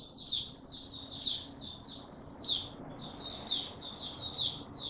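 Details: Caged-style white-eye, called Mata Puteh, gaining confidence before full song on 6 March 2022: high, rapid warbled phrases of short slurred notes punctuated by sharp upward flicks roughly every second, with a low background drone.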